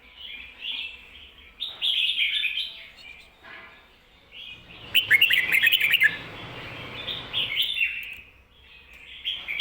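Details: Red-whiskered bulbul giving its 'kho-ta-ra' double phrase, recorded to teach caged bulbuls; several loud warbled bursts with a fluttery chatter in the middle and softer whistles, a faint rustle in the background.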